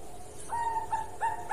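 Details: Zebra dove of the Bangkok type, a long song from a bird singing actively, meant as a tutor recording for other doves. Clear, soft, tonal coo notes come in quick repeated phrases, each note held briefly with a slight lilt.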